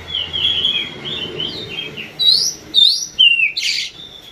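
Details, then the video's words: Oriental magpie-robin singing during a pacingan session, where kept birds are set against each other to provoke song: clear whistled phrases, sliding up and down, then louder rising sweeps and scratchy bursts in quick succession. "pacingan kacer bikin emosi"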